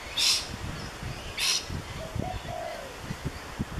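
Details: Gold Coast rainbow lorikeet recorded on a Canon SX50 camera: two short, harsh, shrill screeches about a second apart, followed by low thumping and soft, rumbling background sounds.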